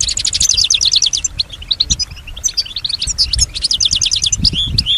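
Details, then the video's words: European goldfinch in captivity, said to copy sounds around it; fast rattling trills and tinkling chirps, pausing briefly before another rapid trilled phrase and a few whistled notes. "Solutions to keep your goldfinch healthy and singing with strong stimulation"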